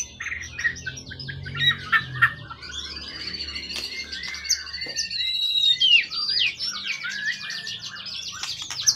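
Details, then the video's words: Competition bird from the wild, tail over 20 cm, long in care and steady, pouring out varied whistled and chattering phrases, some long clear whistles and quick buzzy runs, with faint low background rumble. "Burung event ori hutan ekor 20cm up lg on banget"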